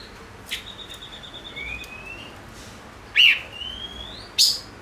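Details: Five-coloured bird with faint drawn-out rising whistles, then two loud sharp notes with a thin whistle between them, in a quiet setting.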